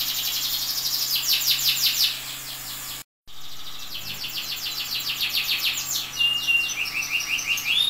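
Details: Canary song meant for training other canaries: fast high trills of repeated sweeping notes, broken by a brief silent cut near the middle, then resuming with rolling series and a few longer whistled glides.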